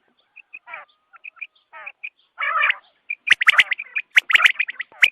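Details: Quail heard at dawn, meant for hunting: soft, scattered squeaks and a few rasping notes at first, then a sudden burst of loud clicking, squawking calls packed closely together.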